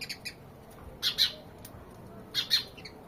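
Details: House sparrow gives paired, emphatic chirps about every second and a half, with a few fainter chirps before and after each pair.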